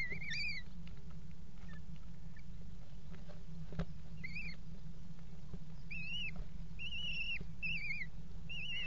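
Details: Eurasian kestrels mating on the edge of a nest box in a water tower, 5 February 2018. Shrill, arched calls with harmonics at the start. Then from six seconds a rapid series of five similar whining calls, over a steady low hum.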